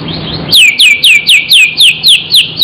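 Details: Murai, a magpie-robin, singing energetically in a filler style: a loud run of eight clear whistles, each sliding down in pitch, repeated about every quarter second after a brief softer lead-in.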